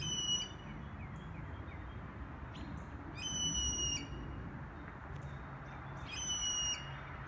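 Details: Wild blue jay heard in Toronto giving three harsh, raspy calls roughly three seconds apart, each brief and rich in overtones, with faint thin chirps between them and a constant low background hum.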